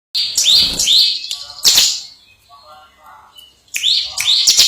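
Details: Bar-winged prinia, a contest-winning songbird, singing in the fast continuous ngebren style; bursts of high, sharp rising chirps in quick pairs, broken by a pause with faint lower murmuring before the chirps resume.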